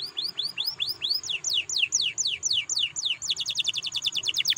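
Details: Canary song used to stimulate other canaries to sing: series of sweeping whistled notes, each rising then dropping, repeated about three per second, ending in a fast trill of short notes over steady background noise.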